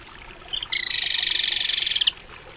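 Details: Crested kingfisher calling: a harsh, rapid rattle of evenly pulsed, buzzy notes lasting over a second, preceded by a brief faint note, against a quiet background.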